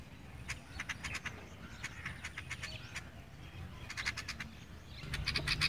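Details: Sparrow chirps come in uneven clusters of quick, bright chips, quieter in the middle and denser toward the end, over a steady low rumble.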